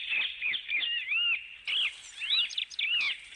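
Parrots chatter in a steady stream of high, squeaky, warbling chirps with quick rising and falling slurs, several overlapping, with a faint hiss behind.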